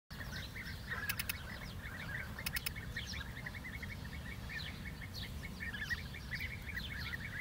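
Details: Several European bee-eaters give short, rolling, liquid 'prruip' calls, overlapping throughout, in the dehesa of Doñana, Andalusia, Spain. A steady low wind rumble runs underneath, with a few sharp clicks early on.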